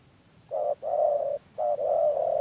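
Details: Spotted dove, a local-stock decoy bird used for trapping in Đắk Lắk, Vietnam, in 2022, cooing in the "rền gù" and "chỉ gù" styles. Low, mellow coos come in two pairs, each a short note followed by a longer drawn-out one, over a quiet background.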